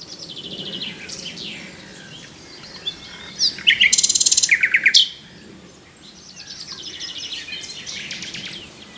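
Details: Common nightingale singing: rapid rattling phrases of repeated notes, a loud dense burst of clicking trills midway, then softer chattering trills, with quieter birds in the background.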